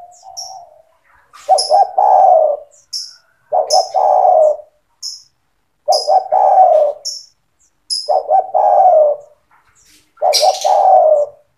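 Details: Spotted dove in persistent singing form, its song meant to train young doves to sing: five phrases, each two short clipped coos then a long, low, gently falling coo, repeated about every two seconds, with faint high chirps from small birds.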